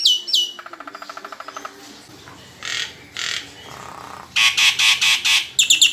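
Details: Nias hill myna, a kept songbird, singing a varied medley: sharp descending whistles, then a rapid rattling trill, harsh buzzy bursts and a loud run of strident squawks ending in high whistles.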